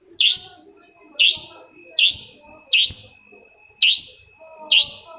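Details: Long-tailed shrike singing as bait to prompt another shrike to answer: a steady series of loud, scratchy notes that sweep upward, about one each second, over a thin continuous whine and faint background chatter.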